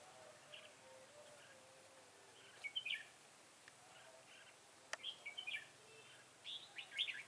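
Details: Red-whiskered bulbul decoy singing to lure wild birds into a trap, 25 September 2018; several short clear whistled phrases spaced through the clip against steady background noise.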